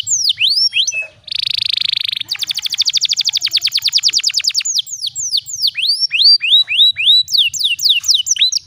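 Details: Canary luring song with a special cengkok style, used to tutor young canaries: quick descending whistles, then a buzzy band and a long fast rattling trill, ending in repeated swooping downslurred notes.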